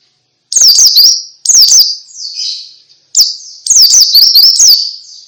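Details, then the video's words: Ngalas song of a pleci (white-eye), played so that every white-eye that hears it answers: four separate bursts of shrill, rapidly zigzagging whistled notes, each trailing into a softer warble, with short silences between. "Suara Pleci Ngalas Bikin Semua Jenis Pleci Ikut Ngalas"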